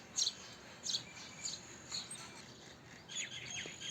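House sparrow chirps, short bright notes repeated roughly every half second, with a denser burst of overlapping chirps near the end over faint background hiss.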